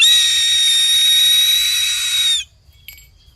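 A Harris's Hawk gives one long, harsh, grating scream lasting over two seconds, rasping and unmusical, ending abruptly; faint noise follows.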